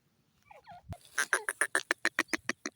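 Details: Francolin from Pakistan giving a rapid series of sharp, rasping notes that grow louder and then settle into a steady rhythm, after faint soft chatter and low background rumble.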